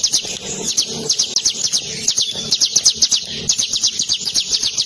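Javan Sunbird giving a long, unbroken rolling song of high, thin, rapid notes, about four per second, over faint low background noise.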